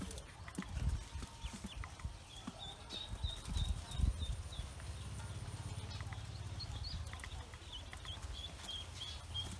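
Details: Newly hatched Pekin ducklings on a farm give a steady run of thin, high peeps, short notes repeated rapidly for several seconds over a low rumbling hum and occasional knocks.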